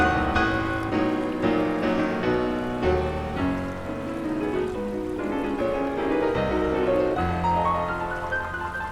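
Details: Gentle piano music with sustained chords and a melody line; no animal sounds.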